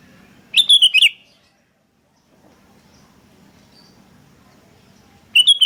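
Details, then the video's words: Sooty-headed bulbul birds calling back and forth: a bubbly phrase of four quick whistled notes, a pause of about four seconds with faint low rumble, then another similar burst begins. "Suara PIKAT Burung Kutilang GACOR Bersautan || Suara Masteran Kutilang Terbaik"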